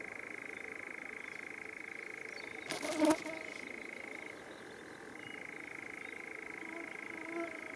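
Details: A European nightjar churring at night in the Drents-Friese Wold, Netherlands, in one long, dry, mechanical trill that briefly shifts pitch midway. A short, harsh sound cuts in near the third second.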